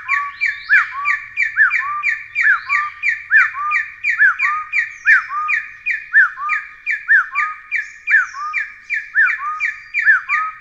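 Taiwan Partridge giving a long run of loud, rising, hooked whistles, about two a second, with faint higher chirps behind.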